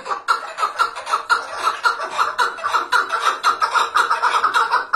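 A chukar partridge gives a fast, steady run of harsh chuckling notes, about two each second, in a dense overlapping chorus.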